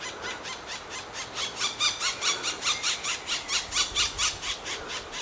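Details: At a black woodpecker nest cavity near Finsterau in Bavarian Forest National Park, nestlings being fed give harsh, buzzy squeals about twice a second, growing louder and more insistent as they beg.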